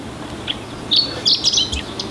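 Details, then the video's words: Chestnut-eared bunting, Oku-Nikko, Japan, singing: one soft introductory chip, then a fast jumble of sharp, bright high notes over about a second, ending in quieter trailing chirps against faint background hiss. "ホオアカのさえずり Chestnut-eared bunting"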